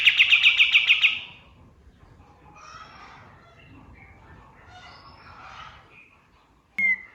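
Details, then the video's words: Male white-eye at dawn, natural forest song used for tutoring songbirds: a quick rapid-fire run of sharp high notes for about a second, followed by faint scattered chirps from other birds and one final sharp note. "SUARA KAPAS TEMBAK SUBUH"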